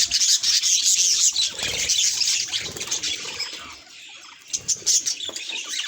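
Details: Budgerigar reacting to its reflection: loud rapid chirping warble, softening to a quiet spell midway, then sharp chirps return.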